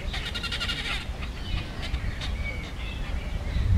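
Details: Great crested grebes in a fight give a quick, rattling, pulsed harsh call for about a second, followed by fainter scattered notes against a constant low background rumble.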